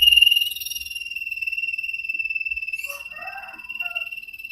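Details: Common iora (cipow sirtu) on a training recording for caged birds: a continuous high rattling trill held throughout, joined midway by softer scratchy chattering notes.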